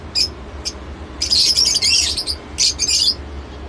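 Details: Shrill lovebird calls: two short isolated chirps, then a dense burst of harsh, high chattering notes lasting about a second, a short gap, and a final rapid chattering flurry, over a low background hum.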